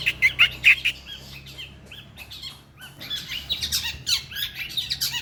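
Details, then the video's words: Long-tailed shrike, a winning contest bird, singing harsh, rasping chatter in quick bursts, loud at first, then a softer stretch before scratchy, squawking notes build again; low background hum. "BURUNG PENTET PRESTASI TEMBAKAN TENGKEK BUTO"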